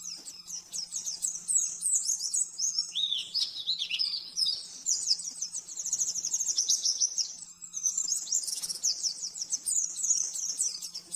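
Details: Oriental white-eye master song for caged-bird training, 'nembak-nembak' style: long bursts of very fast, thin chattering. Midway, a slightly lower swooping phrase appears. A faint constant hum runs underneath.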